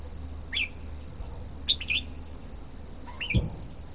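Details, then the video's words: A red-whiskered bulbul sings short, bright warbled phrases, three bursts of quick rising and falling notes, over a steady high electrical whine and low hum. "Chim chào mào hót"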